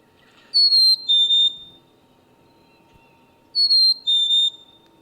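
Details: Black-capped chickadee (Poecile atricapillus) song: a clear two-note whistle given twice, three seconds apart, a high pure note dropping to a slightly lower, longer one, over a faint steady hum; played as a bird-by-ear example.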